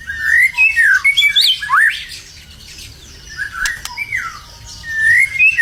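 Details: White-rumped shama, a competition-ready bird in Indonesia, singing actively: loud, varied whistled phrases that slide and loop up and down, with sharp upward sweeps and a short quieter gap mid-song before rich warbling resumes.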